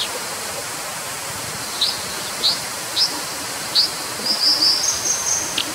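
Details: Brown dipper giving spaced high, sharp chips roughly every half second to second, followed by a short tinkling flourish, against a loud, steady rushing hiss.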